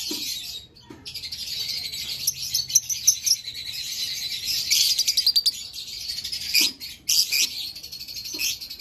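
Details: Green Fischer's lovebirds keep up an unbroken, high-pitched twittering chatter, layered with rapid squeaky chirps and a few sharp clicks, busiest in the middle.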